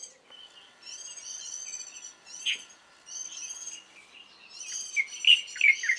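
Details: Warbling white-eye singing in the early morning in mid-April: bright, high, ringing phrases repeated in quick bursts, with a few sharper chirps from other birds toward the end.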